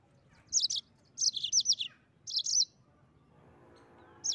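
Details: Mozambique canary singing in lively 'gacor ngeroll' rolling style: three quick bursts of high, sharp, slurred chirps and twittering notes, each under half a second to a second, with quiet pauses and a faint low hum beneath.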